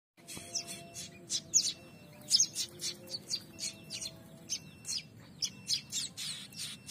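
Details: A pair of young prinias, just becoming active, give thin, high chirps in quick irregular bursts, overlapping one another, over a faint low hum.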